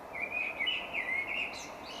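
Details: Common Blackbird song played back during a spring birdsong talk in Monkstown, Dublin, Ireland: a fluty, warbled phrase wavering up and down in mid pitch, closing with a thin, higher twitter, over steady background hiss.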